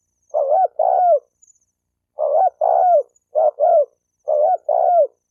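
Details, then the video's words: Spotted dove coo meant to provoke males and females into fighting; low paired hollow notes, each pair a short coo then a longer falling one, repeated four times with brief pauses, no other sounds. "Tiếng chim cu gáy kích bổi kích trống mái gáy gù đánh nhau"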